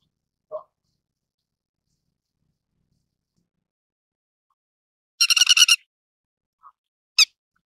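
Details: Grey-headed Lapwing (Vanellus cinereus) calling: a quick burst of about eight harsh, metallic notes, then a single sharp high call, against near silence.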